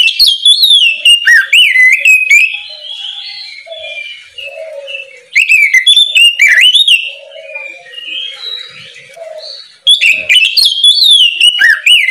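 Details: Oriental magpie-robin in full morning ngeplong song, used to coax young birds into singing: three bursts of loud ringing whistles with quick chips, separated by quieter warbling and a soft low whistling in the background.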